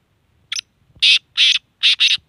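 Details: Black francolin in Sindh, Pakistan, giving loud harsh grating call notes: a short faint note, then four strong rasping syllables, the last two paired closely, over near silence.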